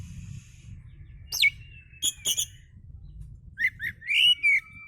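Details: Oriental magpie-robin singing relaxed lure song for other birds: a long gliding whistle, sharp clicks, then slurred rising-falling whistled notes, over faint low background rumble.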